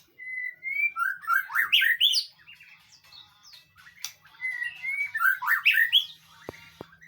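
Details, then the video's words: Training song of a White-rumped shama meant to make another bird answer: rich, varied phrases opening with clear whistles that rise into rapid warbling chirps, repeated twice, ending with soft clicks. "masteran burung murai batu,di jamin nyahut.."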